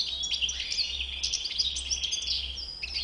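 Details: European goldfinch with a white beard in full song, an unbroken jangle of high twittering notes and buzzy trills over a faint low background hum.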